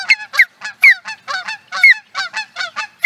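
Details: Osprey calling in Charlo, Montana, USA, in 2017. It gives a steady, fast stream of piercing, downslurred chirps, about three or four each second, loud and clear against a quiet background.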